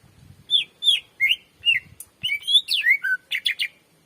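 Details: Greater green leafbird (cucak ijo) singing energetically, a recording meant to lure and train other birds: a varied run of downslurred whistles and bright chirps that speeds into a quick, jumbled phrase, with faint low rumbling at the start.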